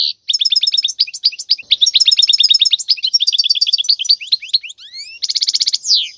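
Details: Wild European goldfinch singing for teaching fledglings: long run of fast, repeated twittering notes, then rising whistled slurs and a dense buzzy trill near the end.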